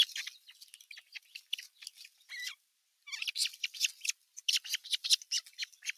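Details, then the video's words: Older osprey chicks squabbling on nest #1 on 15 June 2023 while an adult watches from the nest rim; rapid, high, scratchy chirps pour out in dense bursts, broken by a brief silent pause midway. "Isompien poikasten nahistelua"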